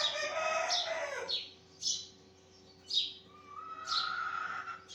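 Sparrows give short, bright chirps, roughly one a second. A lower, drawn-out call opens the clip, and a thin steady tone runs underneath near the end.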